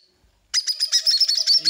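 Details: A baby cockatiel, though fully weaned, begs for food with harsh, raspy chattering bursts, about eight a second, after a brief quiet start, behind baby Rosifron conures being hand-fed.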